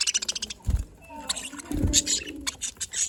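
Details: Budgerigars on an afternoon in Larkana, Sindh, giving quick bright chirps and short warbled notes in bursts, with a couple of soft low thumps beneath the chatter.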